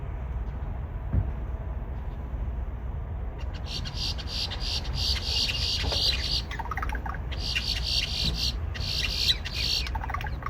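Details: Grackles at a store car park give harsh, hissing, static-like bursts and squeaky electronic chirps like dial-up noises from about a third of the way in, over a steady low traffic rumble.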